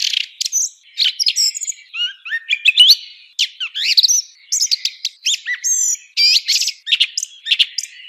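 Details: Song thrush song, a dense stream of varied high whistles, trills and sharp chirps in quick bursts with short gaps, all thin and bright with no low sounds.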